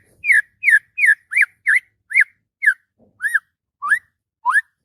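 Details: Agitated white-rumped shama singing in the morning: about eleven loud ringing whistles, each bending down or arching, delivered roughly every half second with slight changes in shape.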